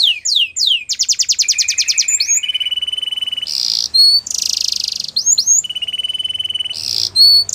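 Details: Belgian canary singing a rapid varied song: fast trills, downward-swept whistles and long buzzy rolls, high-pitched and continuous throughout.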